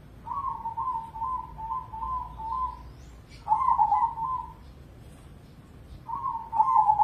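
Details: An Indonesian crossing zebra dove, a prize-winning contest bird, gives a long run of quick, evenly beaded coo notes for over two seconds, then two fuller trilled coo phrases about three seconds apart.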